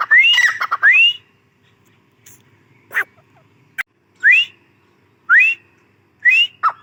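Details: Female grey francolin: a quick burst of rising whistled notes, a pause with a couple of clicks, then three spaced upslurred whistles about a second apart.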